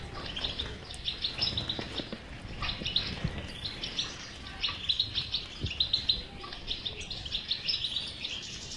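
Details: Chattering goldfinch twitter used to encourage a silent goldfinch to start singing; busy high trills and chirps pour out almost without pause, in uneven bursts, over a low muffled background hum.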